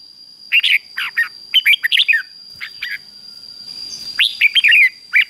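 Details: Red-whiskered bulbul in excited 'ché' fighting song, played to provoke males into singing; bright chirpy bursts of short liquid notes, partly rising and falling, in quick clusters with brief pauses; a steady high electronic whine runs underneath.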